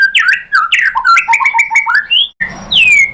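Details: Provoking song of a white-rumped shama, meant to make another bird sing: varied, quick whistled phrases jumping between high and lower notes, then a gap, a brief noisy burst and a long falling whistle.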